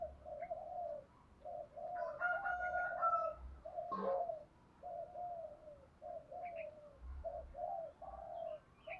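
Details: In the early morning, distant hollow coos from a decoy spotted dove repeat steadily, used to provoke wild doves. Higher bird whistles, a sharp crack and a low rumbling background can also be heard.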